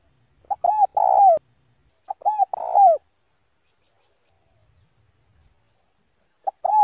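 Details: Spotted dove decoy in the slow "đồng" voice used to rouse other males: two coo phrases about a second and a half apart, each a pip followed by arched and trembling coos, with a third phrase starting at the end.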